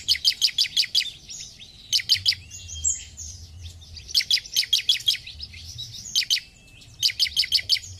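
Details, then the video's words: Bar-winged prinia (ciblek) singing actively: quick bursts of five to seven sharp, high chirps in rapid rhythm, repeated every second or so, with thinner twittering notes between bursts and a low background hum. "Ciblek Gacor"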